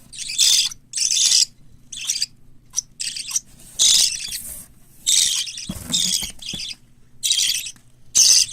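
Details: Raspy, buzzing bursts from captive chicks of white lovebird, cockatiel and budgerigar in Fukuoka, Japan, come in uneven clusters with brief quiet spells between them. A faint low thump is heard near the middle.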